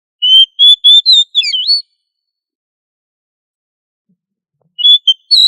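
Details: Oriental magpie-robin (kacer) singing in the lively 'gacor ngobra' style, used as a master recording to train other magpie-robins to sing loudly: a rapid run of high clear whistles with twisting slurred notes, then silence before a new phrase begins. Background is clean.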